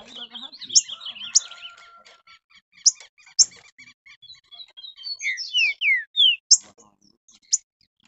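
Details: Green-winged saltator excited by a rival bird, bursting into a series of loud whistled downward slurs after softer scattered chirps and clicks.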